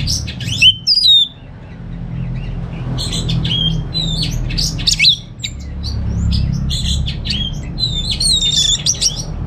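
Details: Orange-headed thrush, a caged songbird in North Bali, giving choppy bursts of high chirps and clicking notes separated by brief gaps, with a low hum in the background.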